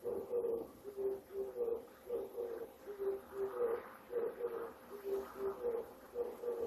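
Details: A male Oriental turtle dove in Japan sings at dawn in early September, a territorial breeding-season song: low, hoarse four-note cooing phrases repeated about every two seconds over faint background hiss.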